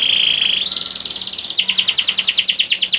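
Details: Tutor canary from Boyolali, known for very long song durations; a steady whistled tone rises into a rapid trill, then a quick run of descending notes.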